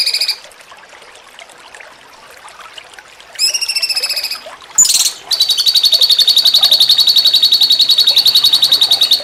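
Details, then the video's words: Cucak cungkok singing in the jengking munting style, a master recording for training contest songbirds. A brief harmonic burst and a sharp chip lead into a long, steady, high trill of buzzy pulses, about four per second. "MASTERAN CUCAK CUNGKOK JENGKING MUNTING"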